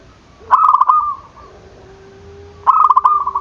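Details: Zebra dove calling to provoke rivals. Two bursts of fast, stuttering coos with a drawn-out tail, about two seconds apart, with a low, steady tone continuing beneath the pause.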